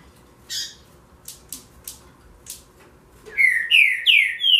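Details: Green-winged saltator (Saltator similis) song: a few short, harsh chips, then three or four loud, slurred whistled phrases, each rising then falling, delivered in quick succession.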